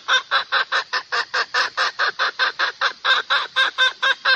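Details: Domestic hen calling a rooster, used as a lure: a long, unbroken chain of rapid, throaty clucks, about twenty in four seconds, slightly uneven in timing and strength.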